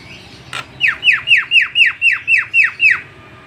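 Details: Javan myna song for use as a lure: a steady series of about nine loud whistled notes, each dropping sharply from high to lower pitch, delivered roughly four per second after a single short click.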